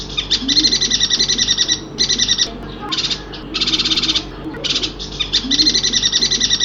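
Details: Yuhina from Kalimantan singing: dense buzzy rattling bursts of about half a second to a second, each a rapid pulsed chatter, repeated with short pauses, over a low steady hum.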